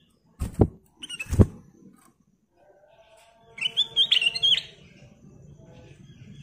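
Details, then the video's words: Ruby-throated bulbul (kutilang emas) in lively 'gacor' song: two loud knocks, then a single burst of fast, wavering whistled notes lasting about a second, over low rumbling background. "Burung kutilang emas Gacor full isian"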